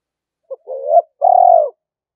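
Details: Caged decoy spotted dove cooing to lure wild doves in to fight: a short note, a rising coo, then one long vibrating level coo, the whole phrase lasting just over a second.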